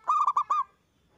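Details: Local zebra dove singing loudly, played to coax other doves into answering. One brisk phrase of four rolling coo notes, the last slightly drawn out.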